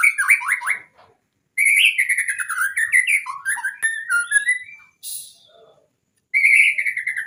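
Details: White-rumped shama training song meant to prompt lazy, rarely singing birds to sing: rich varied whistled phrases with buzzy warbles and sharp high notes, broken by short pauses.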